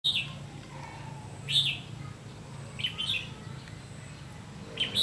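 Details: Red-whiskered bulbul at a trapping site with a decoy bird, recorded 30 May 2016; short bright chirped notes repeated every second or so, spaced irregularly over a steady low rumble of background noise.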